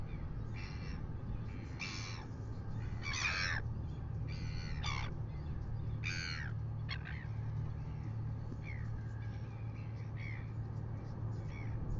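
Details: Red-billed gulls harass a Northern Royal Albatross chick in New Zealand at 6:27 AM, giving harsh rasping squawks, some single, some in quick bursts, about every second, over steady low wind rumble.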